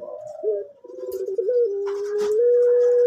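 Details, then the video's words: Male orange-coloured collared dove of the pelung type, kept on a bird farm and praised for a soft voice, giving a long, drawn-out, steady low coo with slight wavering. A brief rustle is audible midway. "Puter Pelung Orange Jantan Suara Empuk"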